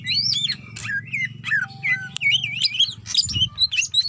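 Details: Greater green leafbird female calling a male: continuous wavering whistles and chirps that rise and fall quickly, with a thin steady tone in the middle and a click, over a low humming drone.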